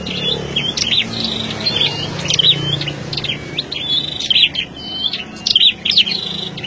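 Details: Captive flowerpeckers kept as decoy birds in wide mesh cages: sharp, high, thin chirps in quick clusters, repeated steadily through the stretch with short gaps, over a soft low background hum.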